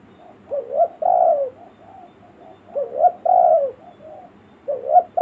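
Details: Village lure call of a spotted dove, used to bring in forest birds: three soft phrases of a quick rising double coo and a long falling croo, with faint low coos between them.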